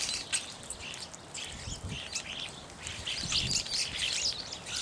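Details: Several Evening Grosbeaks (Hesperiphona vespertina) calling: a busy run of short, bright chirps in overlapping bursts over a soft background hiss.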